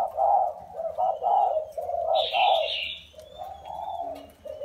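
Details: Spotted dove, wild-caught and caged four years, giving a run of throaty, pulsing coos about once a second, then a softer trailing note, with a bright high chirp and a thin whistle from another bird overlapping.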